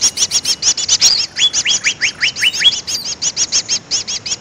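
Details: Lure call of the greater green leafbird for trapping birds: fast, evenly pulsed high chirping throughout, broken midway by a string of six or seven bright whistles that each slide sharply downward.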